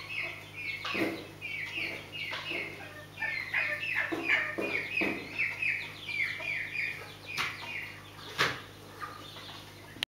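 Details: Scaled quail calling in a long busy run of short chipping and chattering notes, bright and overlapping, with occasional sharper clicks and a steady low hum beneath.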